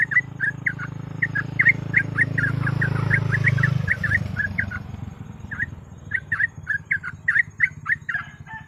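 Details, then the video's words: A sooty-headed bulbul delivers a fast 'ropel' song used as a lure. It is a long run of quick chirpy, bubbly notes. A loud low rumbling noise rises in the middle, then fades, and the singing continues unevenly. "TRUCUK GACOR ROPEL MASTERAN PANCINGAN BURUNG TRUCUK"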